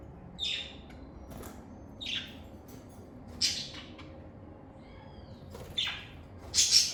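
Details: Lovebirds in a calm setting, calling with short, sharp, high chirps spaced one to two seconds apart, one brief soft whistle in the middle, the last notes louder and shriller.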